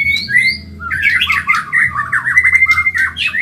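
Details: Medan white-rumped shama delivering a very fast training song for caged birds. Two clear whistled notes open, then a dense, tumbling warble of slurred, twisting whistles runs on without pause. Low background hum.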